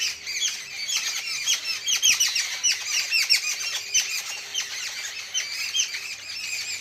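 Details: Many birds chirp together in the evening in a dense, overlapping chorus of short, high-pitched notes, with a faint steady hum underneath.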